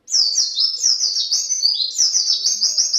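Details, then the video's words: Loud, close white-eye singing a 'gacor' lure song ('pancingan'): a continuous, rapid cascade of high, sweet, rolling twitters and chirps without pause. "pancingan pleci gacor"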